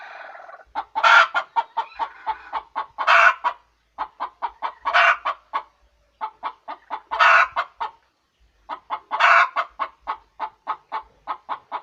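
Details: Hen giving its egg-laying cackle over and over: bursts of rapid clucks, each ending or broken by a loud harsh squawk, with short pauses between rounds.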